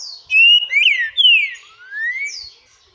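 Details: Green-winged saltator, described as a shy bird, singing a short phrase of loud, clear whistles that slide up and down and end on a rising, drawn-out note, about two and a half seconds long, in an otherwise quiet setting.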